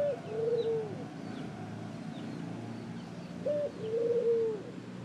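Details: A ring-necked dove calls twice, each a short high note followed by a drawn-out level coo that drops off at the end, spaced about three seconds apart, with faint high chirps of other birds behind.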